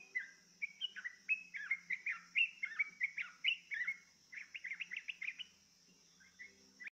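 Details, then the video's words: Yellow-vented bulbul coaxed to sing, giving clear bubbly chirped phrases of quick up-and-down notes for about four seconds, then a few scattered chirps, with a steady high hiss behind. "dijamin trucukmu gak takut tapi malah ikut bunyi"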